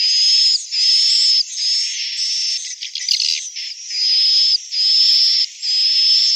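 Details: Swiftlets associated with an Indonesian swiftlet house: steady high buzzy notes of nearly a second each in a regular series, broken midway by a burst of rapid clicking chatter.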